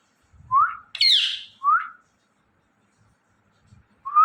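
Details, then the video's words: Indian ringneck parrot chirping: rising whistled chirps around a single harsh, noisy higher call, with soft low rustling between notes. "Ringneck Parrot Chirping And Making Natural Sounds"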